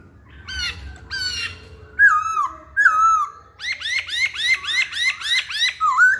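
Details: Varied Hwamei song: a pair of rich harmonic notes, then two looping whistled phrases, then a rapid run of about nine repeated hooked notes, loud and clear against a quiet background.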